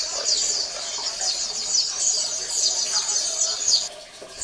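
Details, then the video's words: Group of Oriental white-eyes twittering in rapid, high, slurred chirps, a colony chorus used to stimulate quiet males into song; the chatter stops abruptly near the end. "SUARA PLECI KOLONI AMPUH MERANGSANG PLECI MALES BUNYI"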